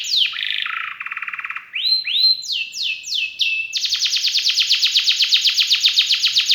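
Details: Gacor-style kenari song with rich isian fills: a buzzy stutter, a fast trill, rising and falling whistled sweeps, then a long, rapid, metallic trill repeated about four times per second.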